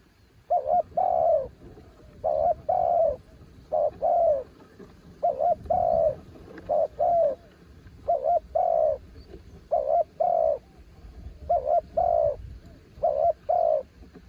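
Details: Spotted dove kept as a branch decoy sings a long run of about eight paired cooing phrases, each a brief wavering note then a sustained mellow coo, repeated every couple of seconds.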